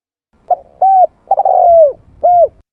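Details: Spotted dove lure call: a short cooing note, a rounded coo, a long drawn coo sliding downward, then a final rounded coo. Mellow, low and clean, with no other sounds.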